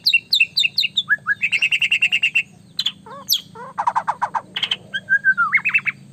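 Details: Vigorous white-rumped shama song aimed at provoking rivals: quick high chips, a fast repeated trill, low warbling notes, dense rattles, and a closing sequence of rising whistles.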